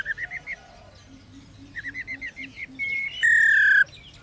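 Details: Female laughingthrush, known as a rolling caller, giving short bursts of quick chirping ro notes, then a thin steady whistle and a loud harsh drawn-out note.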